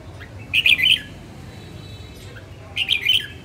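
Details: Female red-whiskered bulbul of northern type in song practice: two short, loud bursts of clear, tumbling whistled notes about two seconds apart over a low steady hum.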